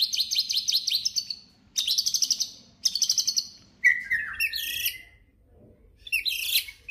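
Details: White-rumped shama singing to provoke other shamas: three quick rattling trills of high notes, then a descending slurred whistle and jumbled high twittering phrases.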